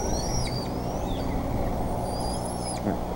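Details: Bald eagles at the Decorah nest on 28 May 2014 as a fish arrives; high thin whistles sweep downward early, then a long level whistle follows, all over heavy low hum.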